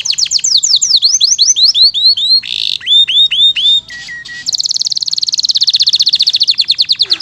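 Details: Masteran canary song in 'isian mewah' style: rapid descending whistles, looping arched notes, a short low flat whistle, then a long, very fast, metallic rolling trill.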